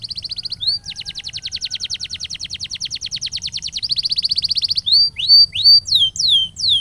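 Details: Master canary song for training duration and rhythm quality: a long steady roll of rapid repeated notes, lasting about three seconds, shifts to a faster trill and then to loud sweeping descending whistles.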